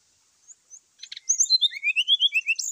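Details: Brown-chested jungle flycatcher (SRDC) fighting call in the morning, used to rouse other birds. A few soft high notes lead into a rapid run of bright, rising, slurred whistles, repeated about eight times a second.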